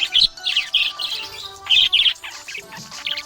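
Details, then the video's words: Happy budgerigar chirping: rapid bursts of bright, scratchy warbled chirps and short twitters, coming in quick clusters with brief pauses, over faint steady tones of background music. "Happy budgie chirping sound"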